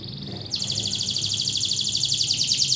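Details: Local canary bursting into a strong, continuous high trill after a brief softer note, with very fast evenly repeated pulses sustained throughout at a steady pitch.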